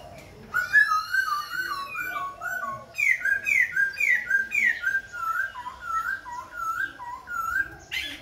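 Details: Khe Sanh laughingthrush singing and dancing while continuously switching voices: loud, clear whistled notes repeated in a steady series, first falling slurs, then rising phrases and lower looping whistles, with a brief harsh burst at the end.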